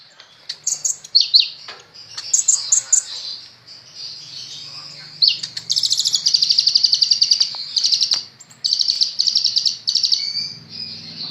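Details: Sunbird (kolibri ninja) in energetic song: scattered high, piercing chirps give way to long, fast buzzy trills of rapidly repeated thin notes, broken by short pauses.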